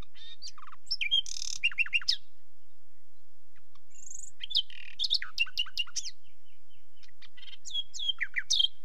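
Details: Nightingale song: bursts of rich, varied phrases mixing sharp whistles, rapid dry trills and quick falling notes, broken by short silent pauses; one brief high pure whistle sits between phrases, with no other sounds present.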